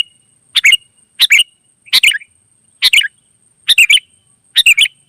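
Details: Sooty-headed bulbul (kutilang), a wild bird heard in lively 'gacor' singing that draws answers from others: short bubbly two- to three-note phrases repeated about once a second, each dropping slightly at the end, over a faint steady high whine.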